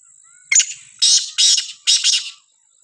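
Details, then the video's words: Village recording of a Sindhi kala teetar, the black francolin: one loud rasping phrase of four or five coarse notes, a short opening note followed by longer grating ones, with a continuous thin high insect whine behind. "Sindhi Kala teetar ki khubsurat awaaz gaon mein"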